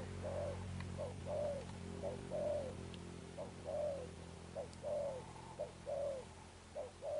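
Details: Spotted dove, newly caught, cooing in the Sấm Thổ manner: a steady run of paired notes, short then longer and slightly falling, about one pair per second, over a constant low hum.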